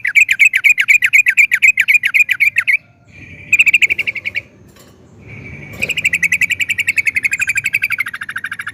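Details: Trucukan (yellow-vented bulbul) in a long rolling song: a rapid rattling series of identical mid-pitched notes about four per second, broken by two short pauses, then resuming into a sustained trill.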